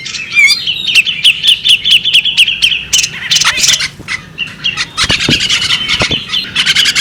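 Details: A female bearded magpie robin gives an opening wavering whistle, then a string of short high chirps about every quarter second, followed by dense chattering bursts with clicks.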